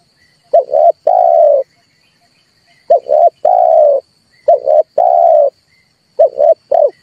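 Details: Red collared dove cooing to stimulate other birds for trapping: four phrases, each a short two-part coo then a longer level note, spaced by gaps of about a second, with a faint high whine in the background.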